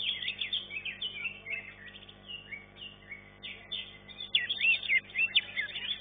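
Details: Green leafbird at a singing contest, class 1, finishing third: softer chattering whistles building into a loud, bright flurry of sharp rising and falling notes toward the end, with low hum underneath.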